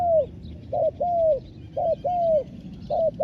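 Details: Decoy spotted dove set on the ground to call in wild doves, cooing steadily: a quick doubled note and then a drawn-out, downward-sliding coo, repeated about three times in close succession. Thin, distant bird chirps in the background.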